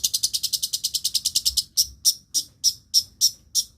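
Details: Long-tailed shrike mimicking other birds. A fast series of harsh broadband high notes about ten per second is followed by slower piercing chips roughly three per second.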